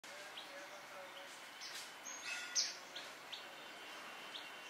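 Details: A White-throated Fantail (Rhipidura albicollis canescens) in Dhikuli, India, November 2023, gives thin, high, brief notes, a few scattered every half second or so, faint over a steady background hiss.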